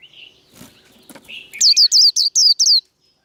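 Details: Cage-bird white-eye in 'líu đấu' fighting song, meant to provoke other birds: faint chirps and rustling, then six sharp, high, falling whistled notes in quick succession lasting just over a second.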